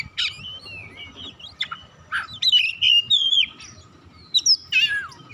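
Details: Song of an Oriental magpie-robin (kacer) that calls to and stimulates another bird to sing: loud, rich whistled phrases with bending, warbling notes and sharp chips, ending in a bright descending slur.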